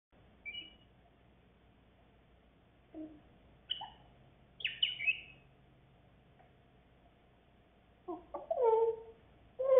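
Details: Pet grey parrot, a new arrival in the household, learning to speak indoors; scattered short whistled notes and chirps, some rising and some falling, then a burst of raspy, voice-like harmonic sounds near the end.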